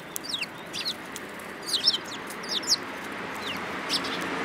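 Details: Several sparrows in March 2018 utter thin, high, slightly descending chirps, a few close together and others spaced out, over a constant hissing background.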